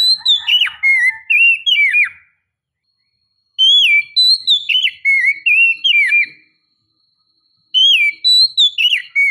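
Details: Female white-rumped shama calling to stimulate the male: three bursts of rich whistled notes, slurred up and down, each about two seconds long, separated by pauses.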